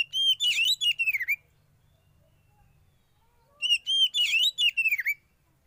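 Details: Young forest-caught oriental magpie-robin in sauna therapy delivers two rich bursts of song, each about a second and a half long, packed with clear whistles and dense chattering notes, separated by a quiet gap.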